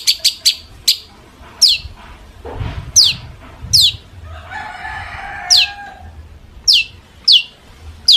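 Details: Long-tailed shrike song meant as a lure so other shrikes respond. It gives sparse, sharp downslurred whistles every second or so. A low rumbling noise and a brief harsh buzzy passage run in the middle.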